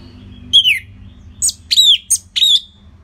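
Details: An Orange-headed thrush gives bright, clear whistled phrases, each falling in pitch, with a short pause before a rapid group of three ringing notes. The song is played as a lure to prompt other birds to sing.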